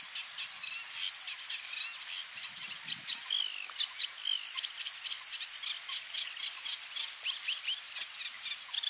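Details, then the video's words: Eurasian reed warbler of the nominate subspecies singing in the Camargue, France, in May 2021: a continuous chattering run of rhythmic, scratchy and churring notes with occasional higher whistled inserts, steady background hiss. "Rousserolle effarvatte (Acrocephalus s. scirpaceus) Common Reed-warbler"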